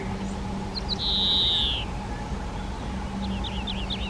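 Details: At a garden-hut nest box, Spotted flycatcher parents feed nestlings with flying insects; one sustained high, slightly falling note, then a quick run of short high ticking chirps, over a constant low hum.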